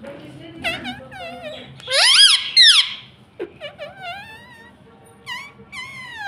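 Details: Pet parrot chattering indoors in quick squeaky, high-pitched syllables, with a louder harsh burst near the start and a string of short rising squeaks after, a faint voice in the room.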